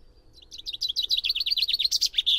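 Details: Common chaffinch song: a fast run of bright, repeated high notes that starts softly, grows louder and steps slightly downward, ending in an emphatic flourish, all within about two seconds.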